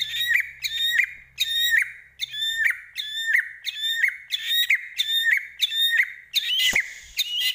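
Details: Medan white-rumped shama in full 'gacor' song packed with isian fill-ins: a ringing phrase of high ticks over a looping whistle, repeated about every 0.7 seconds for ten rounds, ending in a harsh burst.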